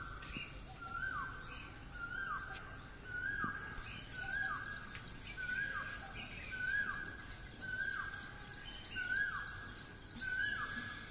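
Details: Asian koel calling in the morning: a clear whistled note that slides down at its end, repeated about every 1.3 seconds in a steady series, with faint chirps of other birds and a steady background hiss.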